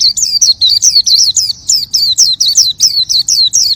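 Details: Oriental white-eye in full, lively song: a steady run of high, clear, downward-slurred chirps, about four per second, unbroken throughout.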